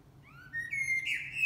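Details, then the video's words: Blackbird sings a clear whistled phrase that slides upward, then ends in a brief, brighter, slightly rough flourish over a faint low hum. "Singing Blackbirds"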